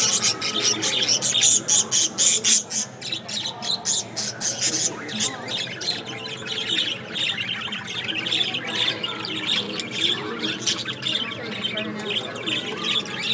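Budgerigars chatter in a steady stream of high, scratchy chirps and warbles.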